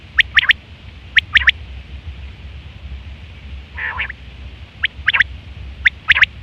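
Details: Quail calling in September 2023, a sound used for hunting and mating: crisp three-note phrases, sharp high clicks in a fast triplet, repeated with pauses of about a second, over a quiet low hum.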